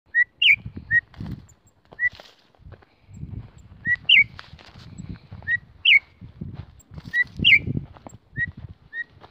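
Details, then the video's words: Female Campo troupial calling to excite males: short, clear whistled notes in small groups, one sharply rising and falling, repeated every one to two seconds, with a man's voice talking underneath throughout. "chamado de femea de corrupião esquenta Qualquer macho ?"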